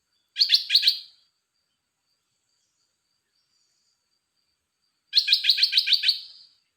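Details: Red-whiskered bulbul in a cage gives two rapid trilled bursts of stacked chirping notes, the second longer with about eight pulses, separated by roughly four seconds of silence.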